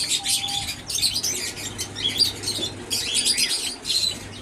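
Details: Aviary Java sparrows giving quick, bright chirping notes in clustered bursts separated by short lulls, mixed with fluttering wingbeats and a steady low background hum.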